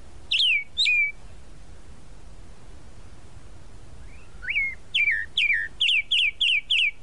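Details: Tropical mockingbird, known in Brazil as sabiá-da-praia, singing: two short slurred whistles, a pause, then a run of six to seven rapid repeated falling whistled notes, loud and clear over a quiet background.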